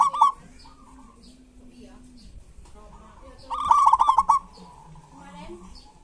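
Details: Local zebra dove giving kerot and bekur song as a lure for reluctant doves: a brief stuttering coo, a pause filled by a low steady hum-like coo, then a longer fast rattle of clipped notes fading into softer cooing.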